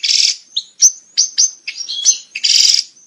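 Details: European goldfinch breeding song: a buzzy rasping burst opens, followed by scattered bright chirps and short liquid twitters, then another harsh buzzy burst near the end.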